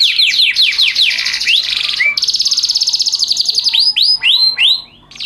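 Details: Canary song in a master recording meant for teaching other canaries, styled 'cengkok mewah' and 'cengkok unik'; loud, high phrases: fast swooping notes, a long rapid trill, then repeated rising-falling whistled sweeps, no other sounds.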